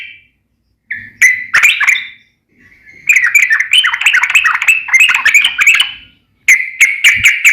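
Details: Sooty-headed bulbul singing vigorously in the rapid, ringing style called nembak ropel ngeplong: bursts of bubbly whistled notes in tight chattering runs, broken by short silences, then closing with quick clipped repeated notes.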